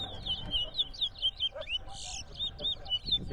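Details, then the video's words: Towa towa (chestnut-bellied seed finch) singing during a bird singing competition at Rosignol, Berbice, Guyana: short high whistled phrases repeated rapidly, about two per second, while a man counts aloud in the background. "TOWA TOWA BIRD COMPETITION"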